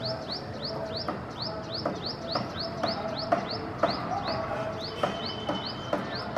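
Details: Indian silverbill (Euodice malabarica) in India calling: thin, high, slightly arched notes about twice a second, over a steady background hum with occasional soft clicks.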